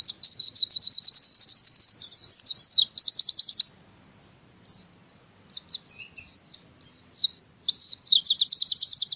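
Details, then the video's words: Forest-style white-eye singing, Central Java, Indonesia: a long, fast trill of high chirps for over three seconds, a brief silence, scattered thin slurred notes, then another rapid chirping trill. "masteran burung pleci suara seperti di hutan"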